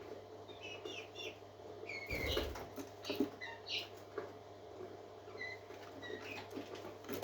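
Several parakeets chatter in short, bright chirps and warbled twitters, scattered unevenly and overlapping, with a brief burst of rustling or wing flutter partway through.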